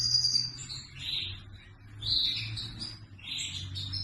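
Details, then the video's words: Red factor canary delivering high, sweet whistled phrases and rolling trills in a loose series, over a faint steady low hum in the background. "Red Factor Canary - Singing"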